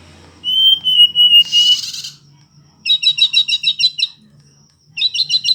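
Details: Indigo flycatcher singing: a long, level, high whistle, a brief hissing burst, then rapid series of sharp, twittering high notes delivered in quick clusters, with short silences between phrases.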